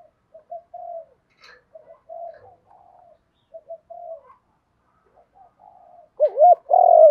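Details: Spotted dove in Thúc Đấu calling to entice wild doves; mostly faint, scattered soft coos, ending in a loud looping double coo followed by a long sustained coo.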